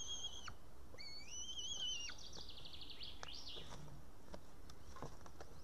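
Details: Young white-tailed eaglet on an Estonian nest camera, 8 June 2018 at 6:54 pm, calling for help to be fed after failing to tear a still-live fish. Long, thin whistles hold steady and end in drooping slurs, followed by a quick rising trill.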